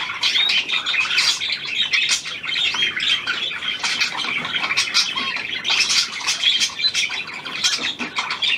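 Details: Hand-tame Australian pied budgerigar, a newly acquired bird, recorded 17 February 2023; continuous dense, scratchy chattering warble with rapid high chirps and clicks, unbroken for the whole stretch.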